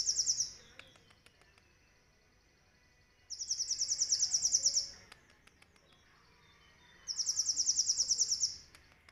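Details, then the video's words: Pet sunbird singing live in captivity, song filled with cililin imitation, used as master song for training other songbirds: three separate loud, high, rapidly pulsed trills, each about 1.5 seconds, spaced by quiet stretches with faint ticks. "MASTERAN asli KOLIBRI NINJA GACOR||isian full Nembak CILILIN ||Suara nyaring bersih durasi panjang"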